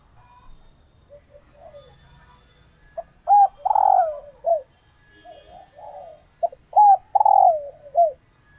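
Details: Captive laying female spotted doves calling to stimulate males to court; after soft low murmurs, two full phrases each of short clipped notes, a long rough downward-sliding coo and a hooked end note, about four seconds apart.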